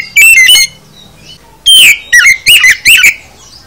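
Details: Oriental magpie-robin (kacer) singing a full isian song: a quick burst of loud whistled, slurred notes, a short pause, then a longer run of rising and falling whistles with buzzy edges.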